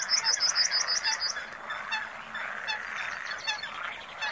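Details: Comb-crested jacana (Irediparra gallinacea) giving rapid, high, squeaky piping notes in quick repeated bursts over a steady murmur of other birds.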